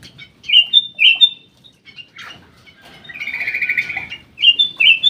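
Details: Black-crested bulbul in an aviary giving clear whistled up-slurred notes in pairs, then a rapid rattling warble, then more bright slurred whistles at the end. A soft low background murmur runs underneath.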